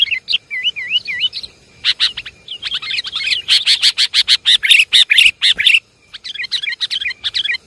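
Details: Lure calls of the sooty-headed bulbul: a few looping, wavering whistles, then a rapid run of sharp, bright chirps, a short gap, and more bubbly notes.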